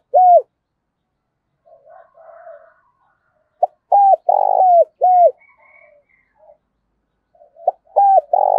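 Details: Spotted dove with a deep 'thổ sấm' voice cooing hard to provoke rivals: a loud single coo, soft low mutterings, then a phrase of sharp hooked coos and a long buzzy note, repeated again near the end.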